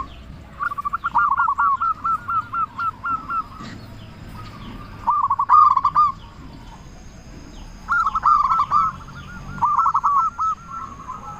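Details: Local zebra dove song used to provoke other doves to reply: long stuttering phrases of quick coos about two per second, a loud short burst midway, then further rolling phrases.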